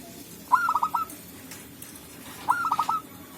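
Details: Wild local zebra dove in forest, birds calling back and forth, used to lure others for trapping: two crisp phrases two seconds apart, each an upswept opening note then a rattling run of short cooing notes, over low rumbling ambience.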